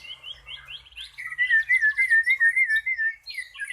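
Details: Cucak pantai in song, compared favourably with the cucak rowo: soft rising chirps give way to a loud, liquid, wavering whistled trill of even rapid pulses, then a few scratchy notes.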